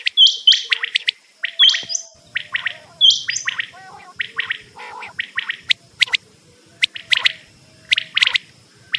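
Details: Quail sounds from a cassette used for hunting. Loud, rapid bursts of high chirps and clicking notes run in irregular groups, with a sustained high tone in the background.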